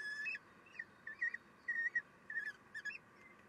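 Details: Common kestrels at their nest while the female feeds the young, 3 June 2021. Loud, thin squealing calls come one after another in wavering, slightly arching notes, roughly two to three per second.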